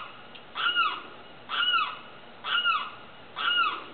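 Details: A Limpkin calls at night, giving four loud, wailing calls that rise and then fall, about one per second, with a faint hiss of background noise.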